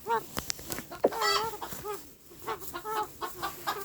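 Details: Domestic chicken clucking in a rapid, uneven series of nasal squawks and short bent notes, with sharp clicks and thumps mixed in.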